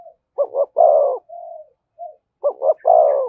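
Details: Spotted dove giving the thổ voice with thúc and kèm: two three-part coos, two quick notes then a long full note. A soft flat hoot comes after the first phrase.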